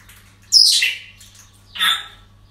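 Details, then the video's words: Parrot at a breeding centre giving two loud, harsh, drawn-out squawks about a second apart, the first shrill and piercing, the second lower and hoarser, over a quiet low hum. "Relajación Loros En El Centro De Cría"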